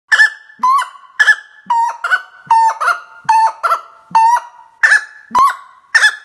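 A common gallinule gives harsh, nasal, honking clucks, about twelve in six seconds at an uneven pace, some rising into squeaky yelps.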